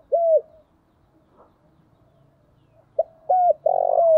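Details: Low cooing from a decoy spotted dove calling wild doves: one clear falling coo, a quiet stretch of about two and a half seconds, then a short note, a falling coo and a long buzzy coo.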